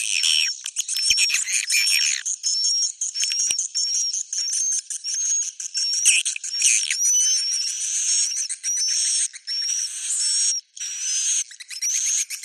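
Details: Roosting swiftlets make high chirping buzzes with short upward-flicking whistled notes about every half second, over a tinkling, clicking background.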